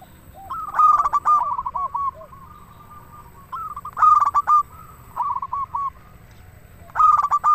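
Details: Zebra dove of a local strain singing strongly to provoke other doves: three loud stuttering cooed phrases, each followed by a drawn-out softer string of coos and a few lower arched notes.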